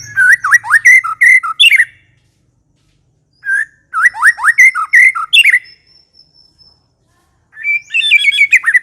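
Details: White-rumped shama in full, energetic song: bursts of rich whistled and chattering phrases around mid pitch with sharp upward sweeps, separated by short pauses, one long thin steady whistle in between.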